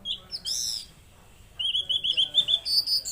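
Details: Mangrove blue flycatcher: a high whistle and buzzy note, a short pause, then a fast even string of clear, piping whistled notes, roughly five per second.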